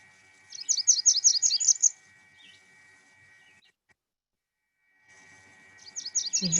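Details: Blackburnian Warbler, a treetop bird, sings a very high, thin run of quick, sibilant notes, a burst of about eight, then starts again; a faint steady hum lies underneath.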